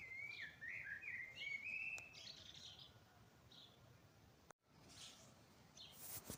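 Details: Spring dawn birdsong: a wavering whistled phrase with quick warbled twists opens the clip, followed by softer distant notes, a sudden cut to silence, then faint hiss and chirps.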